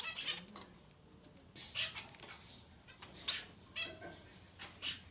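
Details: Society finch chicks up to ten days old begging: short, high, raspy bursts repeat irregularly, about forty a minute, some with thin whistled tones. A low background hum runs beneath.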